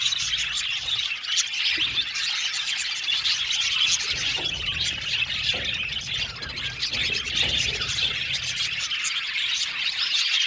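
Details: Budgerigars in a 70-pair aviary colony keep up a constant high, buzzy chatter of overlapping chirps and squawks, a dense noisy chorus holding steady for about ten seconds.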